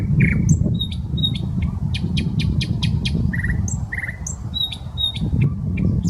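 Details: Common nightingale singing in a park on the Smolenka in Saint Petersburg, Russia: sharp clicking notes, short whistles and low buzzy phrases against heavy low rumbling traffic noise.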